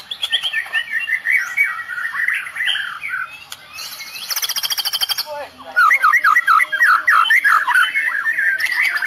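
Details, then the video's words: Medan-type white-rumped shama delivering a 'tembakan' song loaded with cililin imitations, said to make rival birds falter: rapid, varied chattering phrases, a dense buzzy pulsed rattle midway, then quick slurred notes tumbling in fast succession. "Tembakan murai medan full cililin bikin drop musuh"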